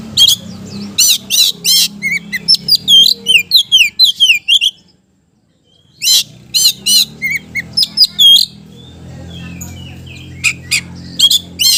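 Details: Kacer, the Oriental magpie-robin, singing hard to set off reluctant birds: bursts of rasping notes and rapid falling whistles, a brief silent gap, then more loud chattering phrases over a faint low hum.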